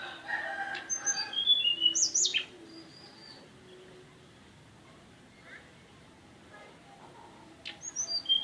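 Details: Mountain tailorbird song. A burst of high whistled notes falls in pitch and is mixed with other chirps. A quiet stretch follows, and then more high notes come at the end.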